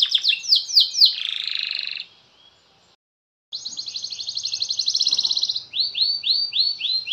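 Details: Canary in long, lively song, said to make other canaries start singing. Rapid series of falling whistled sweeps runs into a buzzy trill, then a short silence, a long fast rattling trill, and repeated falling whistled notes.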